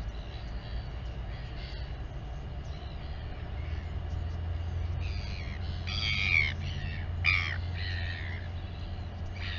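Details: Royal albatross mother feeding her chick at the colony on Taiaroa Head near Dunedin, New Zealand, picked up by a live nest camera: a low wind rumble, then near six seconds two loud harsh nasal calls with strong harmonics, plus fainter calls around them.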